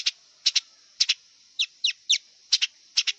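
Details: Wild long-tailed shrike uttering dry, sharp notes mostly in quick pairs, with a few single downward-slurred chips, spaced about half a second apart, over a steady high hiss.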